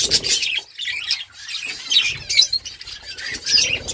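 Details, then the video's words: Several budgerigars chirping together, dense warbled and scratchy chatter with quick squawks rising and falling in bursts, overlapping calls from more than one bird. "Beautiful birds chirping sound birds talking to each other"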